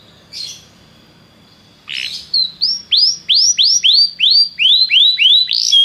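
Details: Belgian canary singing to warm up another canary: after a short buzzy note and pause, a run of loud rising-falling whistled notes repeated about three per second, with a faint steady tone behind.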